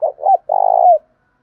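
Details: Spotted dove decoy bird cooing in the thổ pha voice style to provoke a fight: two short rising coos, then one long, throbbing, even coo that falls at its end. The room is otherwise quiet.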